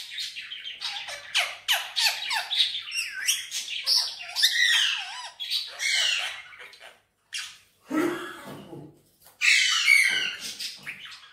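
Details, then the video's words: Pet Indian ringneck parakeet in green, which talks and whistles in Urdu and Hindi, rattles off fast, slurred phrases of squeaky sliding notes, then gives a lower, broader burst and a final shrill squawk. "Indian Ringneck Parrot Talking And Whistling"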